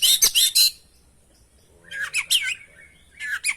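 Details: Oriental magpie-robin, called kacer, singing steadily in a trigger and training recording: a loud bright phrase of quick whistled notes, a pause, then two chattering, warbled bursts of mixed harsh and clear notes.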